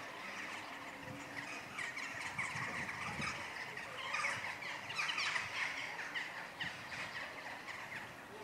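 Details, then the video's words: Western jackdaws in courtship at Nexon church on 16 March at 18:20, evening, keep up a busy stream of short, harsh overlapping 'chak' calls, several a second. "Préliminaires amoureux chez les Choucas des tours"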